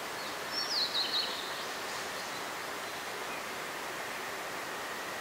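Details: Blue-and-white flycatcher in mountain forest of Nara, Japan, 26 April 2019, singing beside a stream: a single brief phrase of quick, high whistled notes early on, followed by only steady roaring water.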